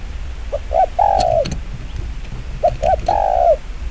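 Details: Spotted dove in the rapid 'chiêu gù kích bổi' cooing style: two phrases, each with quick short introductory coos leading into a long, drawn-out, downslurred coo, against low background noise.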